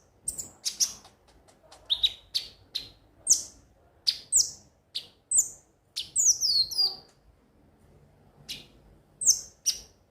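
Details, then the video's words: Konin song to spur birds into singing: sharp, very high chirps in short phrases, a cascading trill of falling notes midway, then a quiet gap and final bright chirps. "pancingan suara burung KONIN agar rajin bunyi tiap hari"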